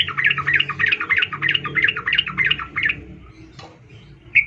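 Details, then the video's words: Calling to a male, a female sooty-headed bulbul gives a rapid string of harsh, chattering notes for about three seconds, then falls quiet before one last short note. The call is used as a lure for males. Low room-like hum throughout. "trucuk Betina memanggil jantan"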